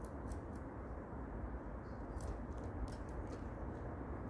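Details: Steady low broadband hiss and rumble with a few faint high clicks, and no clear animal voice.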